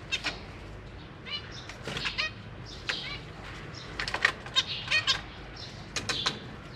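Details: Zebra finch family in a large cage, parents feeding new babies and juveniles practicing flight; scattered short nasal harmonic calls and chirps throughout, mixed with wing flutters and rustling.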